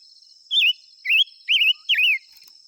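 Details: Silver-eared mesia song of four bright, wavering whistled phrases, some rising and some falling, delivered at an even pace about every half second, with a constant shrill insect hum beneath.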